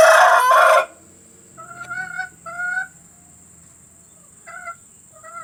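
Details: Recording of hen sounds for luring hens to lay eggs: a loud, coarse opening burst, then paired nasal, mid-pitched drawn notes separated by quiet pauses.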